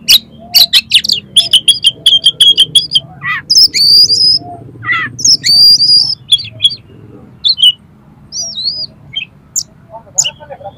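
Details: Oriental magpie-robin singing rough, harsh fill phrases used to provoke other magpie-robins: a rapid series of clicking chips, then high sustained whistles, buzzy rasps and wavering squeaky notes, with a soft low hum behind.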